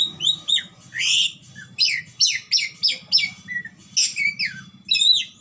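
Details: Red lory from Ambon calling loudly and persistently, a rapid series of harsh, shrill screeches and squawks, roughly two per second, with a faint low hum underneath.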